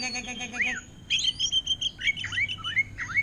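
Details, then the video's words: Caged greater green leafbird imitating orange-headed thrush song, giving a sustained high whistle followed by swooping, looping slurred notes, with a brief spoken voice at the start. "Cucak Ijo Ngentrok Gaya Anis Merah"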